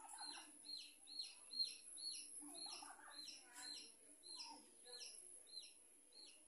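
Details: A small colony of budgerigars chatter together in quick, high, sharp chirps, about two a second, with scratchy warbled notes and a steady high hiss.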